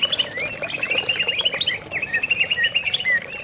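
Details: A greater green leafbird, used as a lure to prompt other leafbirds into song, pours out a continuous rapid warble of bright, slurred, chattering notes with quick twists and ringing whistles, unbroken throughout.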